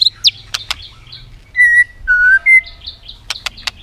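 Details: White-rumped shama worked up for competitive singing, clicking and tail flicking: three pure, drawn-out whistles at steady pitch, framed by sharp clicks and short high chips.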